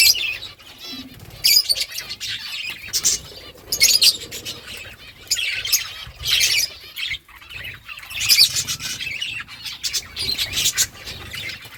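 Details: Budgies eating food while chirping: loud, harsh, scratchy chirps and squawks in irregular bursts with short pauses between, mixed with softer warbling chatter.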